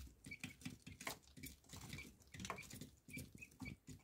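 Quail chicks give short, high peeps, several each second, over steady scratching and pattering from the birds moving about.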